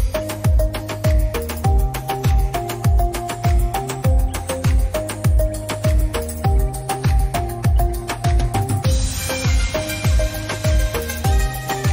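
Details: Upbeat rhythmic music with steady drums and repeated melodic notes fills the whole recording, with no animal calls audible.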